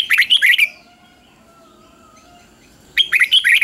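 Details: Caged red-whiskered bulbul giving a doubled three-syllable song in the counting style, used for training young birds; a bright, rapid warbled phrase opens, faint steady whistled tones follow, and the phrase returns about three seconds later.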